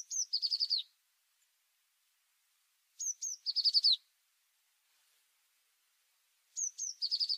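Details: Tit singing a repeated phrase: a sharp high note, then a quick trill of five or six descending notes, with the phrase coming back about every three seconds and silence between.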